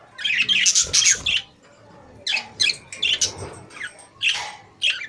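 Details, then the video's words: Budgerigars singing in a cage: loud bursts of scratchy, squawky chatter and high chirps in rapid clusters, with short pauses between phrases and a faint hum beneath. "Beautiful Budgies Singing in Cage | Singing Parakeet in Cage"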